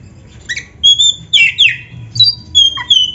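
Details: Energetic oriental magpie-robin singing, intended as a master recording: high thin whistles and buzzy two-part notes repeated in quick, evenly spaced phrases with brief pauses, over soft low background hum.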